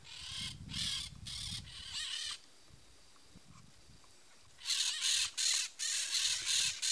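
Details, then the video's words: A peach-fronted parakeet (Eupsittula aurea) gives harsh, screechy calls in rapid bursts of about half a second, a quiet gap mid-clip, then louder repeated screeches. "PERIQUITO-REI canto (EUPSITTULA AUREA), PEACH-FRONTED PARAKEET"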